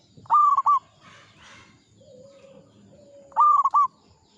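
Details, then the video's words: Old local zebra dove (perkutut) in full song: two loud, bright coo phrases about three seconds apart, each a quick stuttered series of ringing notes, separated by faint low sustained whistles and soft background rustling. "PERKUTUT LOKAL GACOR, MANGGUNG MENTAL TUA BANGKA"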